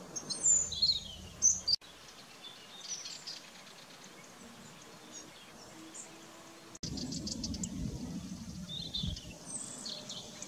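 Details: Eurasian goldfinch: a burst of bright, high, twittering chirps in the first two seconds, then quieter background with a low rumble, and more thin high twitters near the end.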